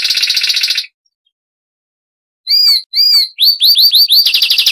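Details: Zapata wren song from Cuba: a fast rattling trill, a brief silence, then three clear down-slurred whistles leading into a quick series of rising notes that merge into a rapid trill. No background noise.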